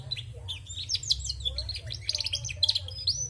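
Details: Female canary in full voice, delivering fast, high twittering with repeated sharp trill bursts and quick chirps over a continuous low mechanical hum.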